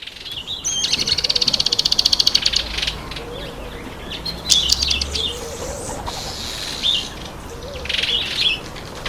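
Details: Speckled mousebirds eating an apple give a fast, dry chattering trill of about twenty ticks, then scattered high, thin twittering chirps over faint background noise.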